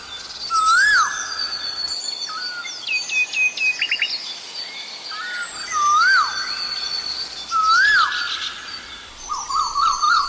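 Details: Asian koel calling during the Sinhala and Tamil New Year with loud, rising whistled notes every two to three seconds, over a busy backdrop of high chirps and trills from other birds.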